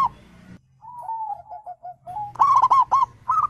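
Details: Zebra dove cooing used as a lure so caged birds answer: a smooth run of soft, descending coo notes builds into a loud, rapid string of rolling, bouncing coos, with a low background hum.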